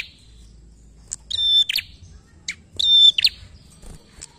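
A prinia sings two loud, shrill phrases of high, ringing notes about a second and a half apart. Each phrase ends in sharp, emphatic chips, with faint background noise.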